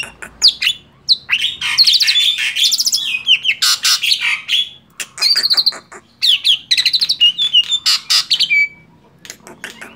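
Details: Energetic song of a male black-winged starling: dense chattering and clicking bursts, buzzy rattles and a few clear whistles, ending in a long flat whistled note.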